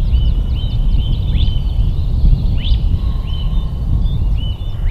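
Mandarin duck giving short, high whistled calls, some sharply rising, in quick runs of two or three, over a heavy low rumble of wind.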